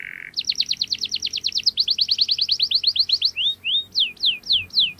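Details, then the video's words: Canary singing a sharp, rolling lure song for young canaries to learn from: a short low buzz, then a fast run of about thirty descending whistled notes, slowing into separate downslurred whistles. "KENARI Gacor Cuit cuit NGEROL TAJAM Menekan Lawan, Pancingan KENARI PAUD belajar bunyi | Canary bird"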